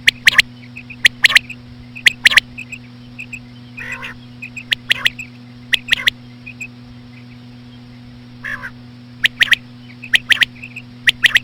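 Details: Slow calling of a female common quail meant to attract quail; loud sharp clicks come in bursts of two or three, separated by soft chirps and occasional nasal notes over a steady hum.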